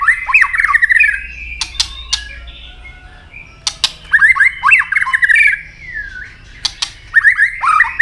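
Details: White-rumped shama giving its fighting song while hopping and snapping its tail, early in breeding condition. Three lively warbled phrases of varied whistles are separated by pauses with loud, sharp clicks.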